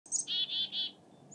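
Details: Black-capped Chickadee in Alaska near the approach of spring gives a quick thin, high opening note, then three buzzy, even 'dee' notes in about a second, over faint background hiss.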